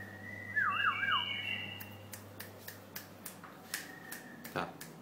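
A White-eared bulbul gives one brief, liquid whistled warble that wavers up and down, followed by scattered clicks and taps over a low indoor hum.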